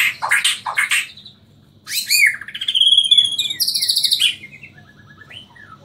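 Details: White-rumped shama of the Borneo type from Samarinda, singing in a style called nyangkul with roll tembak. Loud clear phrases: harsh descending bursts, then ringing high whistles and rapid rolling notes ending in soft falling whistles. No other sounds.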